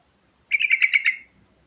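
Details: Sooty-headed bulbul song, used as a lure to get other birds singing: one short bubbly phrase of about six quick, rounded notes. The notes are fairly high and run together into a rolling warble lasting under a second, then silence.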